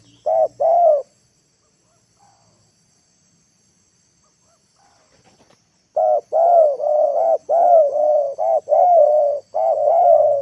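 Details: Spotted dove kept as a lure bird, calling so wild birds come down to the ground: two short low coos, a silent gap of about five seconds, then a fast run of rough, throaty coo notes.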